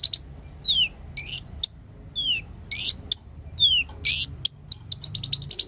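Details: Olive-backed sunbird (kolibri ninja) singing, recorded as a lure and tutor track for caged birds: high thin chirps, descending whistled slurs and bright sharp notes, ending in a fast run of repeated ticks.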